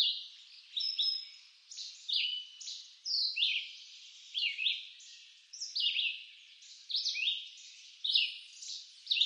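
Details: In eastern North American woods a red-eyed vireo sings continuous brief whistled phrases, roughly one per second, alternating upslurred and downslurred notes in a question-and-answer pattern.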